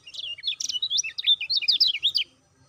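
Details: Lemon-bellied white-eye (kecial kuning), a lure call played to stimulate caged birds to sing, in a rapid run of high, sharp chirps and slurred twitters about two seconds long, then stopping. The background is quiet.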